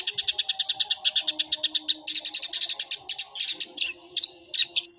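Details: Long-tailed shrike (cendet) performing gereja-style fighting song: a steady rapid series of sharp chattering notes, about five per second, ending in louder rasping bursts and a rising whistle, with faint low hum behind.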